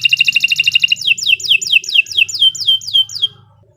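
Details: Canary song useful as a tutor recording for other birds: a quick buzzy trill of rapid repeated notes, then about nine loud downward-sweeping whistles repeated evenly, ending abruptly; a faint low hum underneath.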